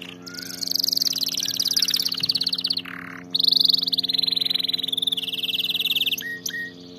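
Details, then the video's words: Canary song played for teaching canaries to sing: long continuous rapid trills, high and buzzy, broken by a brief low note and ending in short sharp whistles, over a low background hum. "أفضل أغنية لتدريب طائر الكناري على الغناء الصحيح 🐦VIDEO TO TRAINING CANARIES"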